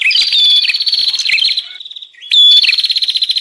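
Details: Bar-winged prinia (prenjak) in a noisy 'ribut' lure call used to attract wild prinias: high, rapid buzzy trills with a sharp whistled note, a brief quieter gap, then the loud trilling resumes.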